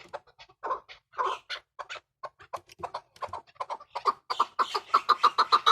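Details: Hybrid chukar starting with scattered soft clucks and clicks, then building into a quickening, louder series of sharp chuk notes in the last two seconds.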